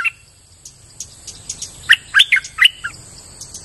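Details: Soft scattered ticks lead into a loud burst of liquid, warbling chirps from a streak-eared bulbul, five or six slurred notes in under a second, used to lure birds, over a constant thin high hum.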